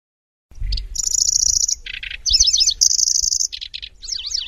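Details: Lanceolated warbler song: high, dry, insect-like reeling bursts, not tightly packed, broken by sharp chips and quick buzzy zigzag notes.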